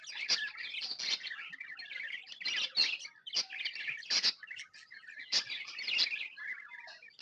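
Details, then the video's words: Tame pet budgerigars, described as happy, chirping in a dense, continuous flock chatter: overlapping scratchy warbles and quick sharp chirps, with brief louder clicks and bursts scattered throughout and no other sounds. "Happy budgies chirping sounds"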